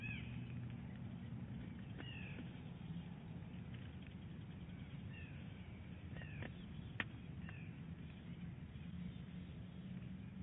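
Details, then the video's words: At Big Bear Lake in January 2018, a nesting female bald eagle calls early while tending and rolling her eggs: a series of faint, high, downslurred chirps spread through the recording, with one sharp click, beneath strong low-frequency rumble. "Big Bear Lake eagles; Mrs. Big Bear, early calling and egg rolling."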